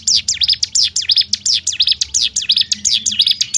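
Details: Short burst of bar-winged prinia song in the tight 'ngebrem' shooting style meant to fire up other prinias, a fast series of piercing, high, slurred chips delivered in quick, even succession, with only a low hum behind.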